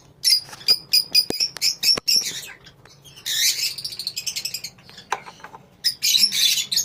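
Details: Colony of lovebirds giving sharp, high squeaky chirps in quick separate notes, then a thicker overlapping chatter in the middle and another shrill burst near the end, with scattered clicks between.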